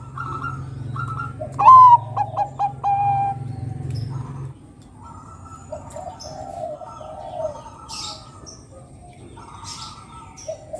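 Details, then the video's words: A Bangkok-type zebra dove sings to lure other doves: a sharp rising coo, a run of short staccato notes and a drawn tail note. Softer cooing, low hum and scattered faint chirps fill the rest. "Pancingan suara Burung Perkutut Bangkok Gacor Kutut Bangkok Manggung mancing Kutut lainnya"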